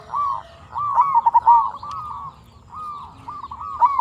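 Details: Local zebra dove in vigorous song, used to lure and provoke other zebra doves. Smooth rolling coos alternate with a phrase of quick clipped notes, with a rising note at the start of each phrase.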